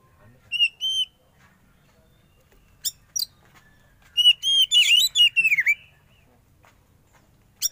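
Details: Kept young Oriental magpie-robin, caught from the forest, during sauna therapy: two steady whistles, scattered sharp chips, then a fast loud string of whistled notes and dipping slurs, closing with one more chip.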